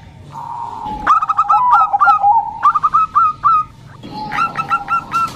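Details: Bangkok zebra dove: bursts of rapid cooing notes at two pitches, a pause, then another quieter run of short coos.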